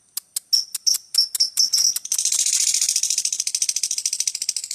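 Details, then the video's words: Lovebird starting with separate sharp clicks, then breaking into steady continuous chatter of fast, high buzzy notes, part of a song lasting over two minutes. "LOVE BIRD NGEKEK PANJANG 2 MENIT LEBIH.."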